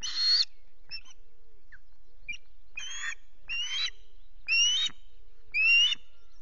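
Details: Osprey at the RSPB Loch Garten nest, misty morning with the male fishing successfully; six separate rising whistles, each about half a second long, spaced about a second apart with faint soft notes between.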